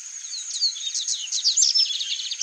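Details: Chalk-browed mockingbird (Mimus saturninus), a free-living bird, singing a brief, dense run of quick, varied high chirps and slurred notes, with a steady thin high whine behind it.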